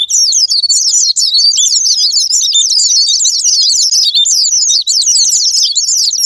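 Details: Japanese white-eye song used as a lure to make other birds sing: an unbroken stream of fast, high-pitched twittering and warbling, with many overlapping squeaky notes rushing together without pause.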